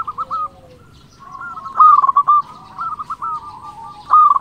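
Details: Local zebra dove singing to provoke rivals: a soft trill followed by a loud rolling coo phrase and another starting at the end, with overlapping background dove trills.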